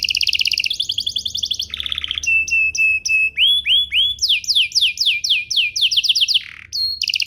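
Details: Canary singing to get other canaries to respond: rapid bright trills, a buzzy roll, repeated flat whistles and upswept notes, then a fast series of downslurred whistles ending in a low buzz and high note.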